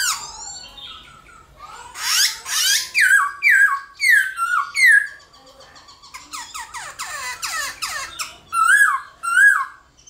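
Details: Black-throated laughingthrush giving morning fighting song to stimulate other birds: harsh bursts open into a run of loud falling whistles, then rapid sharp downward notes and wavering high whistles at the end.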